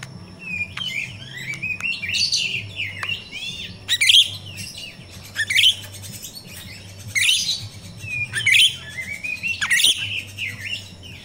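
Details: Jalak rio-rio myna singing in the wild, a recording used as a lure for training captive birds: bursts of bright, varied chirps, whistled slurs and harsh notes, grouped in phrases about every one and a half seconds, over a low steady hum.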